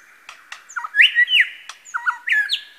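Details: Lyrebird, male, at Masons Falls, Kinglake National Park, imitating other birds with loud, short whistled phrases and sharp clicks, some notes stepping downward, packed into under three seconds.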